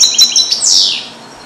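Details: Captive-bred male European goldfinch hatched in 2022, song-trained with Neapolitan passages, caged alone in a small carrier indoors; a brief burst of high twittering notes ends in one long downward-sweeping buzzy slur.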